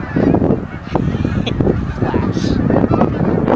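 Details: Incoming Canada geese at Oak Hammock Marsh and Fort Whyte, a loud and close mass of overlapping honks with dense low rumble and a brief hiss near the middle.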